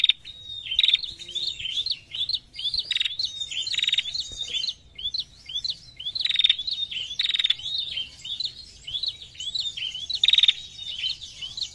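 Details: Female prinia calling constantly in narung style, a busy run of high twittering chirps broken by loud buzzy rattles that recur every second or two, the sound dense and unbroken throughout.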